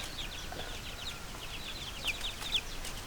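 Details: Little chickens, chicks chirping: thin, high peeping notes, mostly soft and scattered, with two louder sharp downslurred peeps near the end over a steady low hiss.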